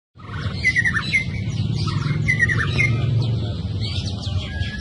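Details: Young forest white-rumped shama singing actively: short bursts of varied whistled notes, quick slurred phrases and sharp chips in mid to high pitch, over a steady low hum.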